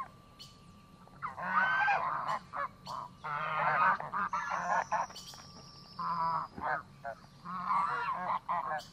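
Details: Geese at a lake, calling in loud bursts of harsh, nasal honks that come in clustered groups separated by short pauses, with a thin steady tone drifting through the background.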